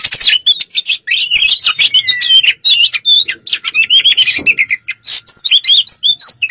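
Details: Oriental magpie-robin in fighting mode delivering a dense, rapid high song: a nonstop stream of varied whistles, sharp chips and quick slurred notes, some rising and falling, with barely any breaks over several seconds.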